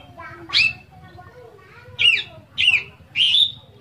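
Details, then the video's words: Kept Oriental magpie-robin (kacer) singing a busy gacor song full of isian phrases, used to get other magpie-robins singing; sharp, downslurred high whistles in separate bursts about every half second, with a low hum beneath. "KACER GACOR FULL ISIAN Suaranya Bikin Kacer Lain Ikutan Gacor"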